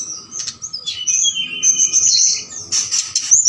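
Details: Night lure call of a forktail, used to provoke other birds into calling back: shrill, high whistles and a lower drawn-out slur, broken by noisy scratchy bursts.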